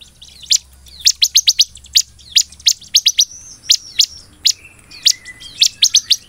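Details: Ciblek in lively, chatty song, singing in the golden-grasshopper style used for tutoring and luring other birds: sharp high chips and rapid trills of short descending notes, given in quick bursts of three to five notes.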